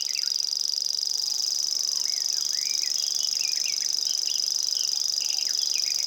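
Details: Common grasshopper warbler singing in Estonia: an unbroken, very high, insect-like reeling trill held at steady pitch and loudness for the whole stretch, with brief chirps and whistles of other birds scattered faintly underneath.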